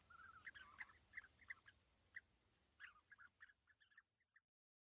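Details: European bee-eaters perched together at East Leake Quarry on a very sunny morning, 5 July 2017, about 80 metres away: a loose series of short rolling calls, about three a second, fading out near the end.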